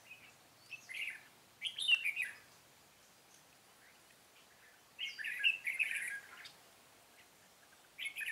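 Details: Red-whiskered bulbul song recorded outdoors on 13 March 2017 during trapping with a decoy bird: short bright warbled phrases in bursts separated by pauses of a few seconds, over faint background noise.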